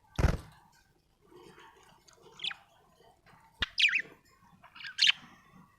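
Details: Happy budgerigar giving scattered short high chirps, some sharp and falling, separated by quiet gaps, with a soft knock at the start and a click midway.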